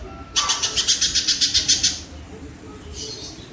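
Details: Kingfisher recording meant for training songbirds: a short, quick, high trill of about a dozen sharp notes, followed by quieter background and a faint high note.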